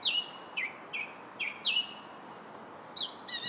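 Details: Song thrush in July giving a series of slurred, downward whistled notes, each repeated with short gaps, followed by a higher warbled phrase.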